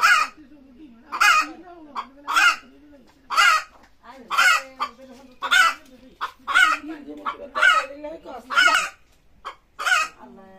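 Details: Chicken screaming to lay eggs: a long regular series of loud, rasping squawks roughly once a second, with soft low clucks and murmurs running underneath between cries.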